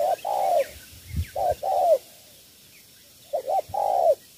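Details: Cooing of a spotted dove from Cà Mau, Vietnam, in the three-note style: soft low phrases of a short note then a longer falling coo, repeated three times with pauses, plus a faint thump and distant chirps.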